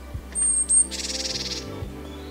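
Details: Japanese Tit in a forest-park woodland in Kita-Harima, Hyōgo, on a fine day, likely in a mixed flock, perhaps calling companions or wary of the cameraman: two very high, thin whistled notes, then a half-second buzzy scolding chatter over a low hum.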